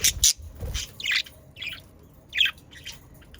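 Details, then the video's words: Pet budgerigars giving scattered sharp chirps and brief squawks, spaced by short pauses, with faint low knocks in the background; a sound offered to stimulate budgerigars to sing. "Sounds of Australian parakeets to stimulate your parakeets to sing"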